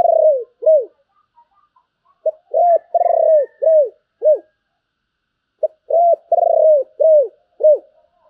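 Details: Spotted dove in giọng thổ style song with a Bầu tone, repeating its phrase twice. Each phrase is a lead note, a long rich coo, then several shorter arched notes, with a pause between phrases.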